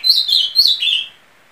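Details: Azulão, or ultramarine grosbeak, singing a brief, rich warbled phrase of high whistles that slur downward and settle into a final lower note, with no other sounds.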